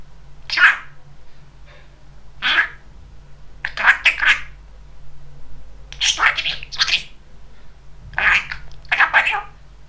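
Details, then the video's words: Talking pet budgerigar, a chatty young male, speaking indoors: short bursts of raspy, speech-like chatter repeated every one to two seconds over a steady low household hum. "Попугай Кеша разговаривает"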